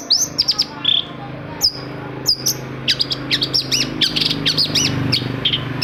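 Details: Long-tailed shrike (cendet) song played to lure silent shrikes into singing: varied sharp whistles and chirps, some swooping down then up, speeding into rapid repeated arched notes, over a low steady hum.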